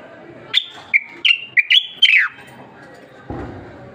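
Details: Moroccan black bulbul (common bulbul) delivers a forceful phrase of six rapid whistled notes, alternating slightly lower and higher, closing with a downward slide. A short rustling thud follows in an otherwise quiet setting.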